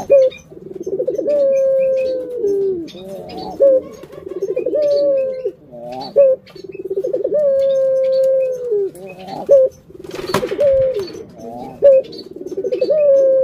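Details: Pet collared dove cooing steadily through a long sequence. Each phrase has a drawn-out mellow tone, a sudden sharp note and a quavering roll, with a brief click-like noise midway.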